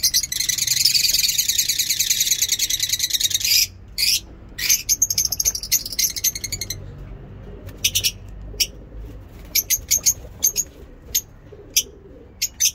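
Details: Lovebirds singing in a mini zoo during the morning: a dense, fast, harsh chattering stream of high notes for several seconds, then broken bursts and isolated sharp chirps spaced irregularly, over faint low background noise.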